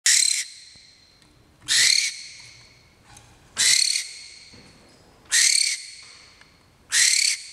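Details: Male barn owl, a free-flying captive bird, chattering while waiting for his flight time: harsh, hissing screeches, each about half a second, repeated roughly every one and a half seconds in a steady series.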